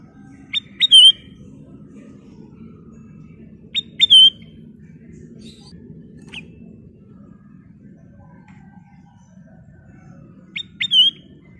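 A sooty-headed bulbul gives three brief, bright, chirpy phrases several seconds apart, with a steady low hum underneath.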